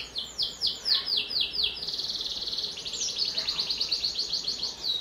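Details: Canary delivering varied song used to encourage young canaries to sing: a string of descending slurred whistles, a dense buzzing trill, then quick repeated chirping notes about five per second.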